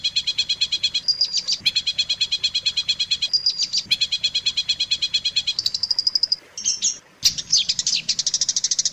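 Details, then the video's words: Long-tailed shrike training recording used to teach songs to other shrikes: high, rapid trills of stacked chirps repeated in fast bursts, broken by short whistled slurs and a brief pause, with a faint low hum beneath. "suara masteran burung cendet paling di cari"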